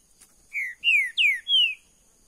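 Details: A green-winged saltator (trinca-ferro verdadeiro) kept in a cage gives a phrase of four ringing whistles. Each whistle falls in pitch, and the third starts highest. The notes are evenly spaced over about a second, against a quiet backdrop.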